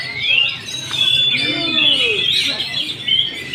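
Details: Oriental magpie-robin singing at a bird contest hanging pole: loud sweeping whistles and rising-falling slurred phrases, with crowd chatter in the background.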